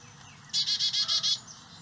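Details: Carolina chickadees feeding their nestlings native insect eggs and larvae on a property in St. Cloud, Osceola County, landscaped with over 70% native plants; six loud, buzzy, high notes in a quick, evenly spaced burst over a low steady hum.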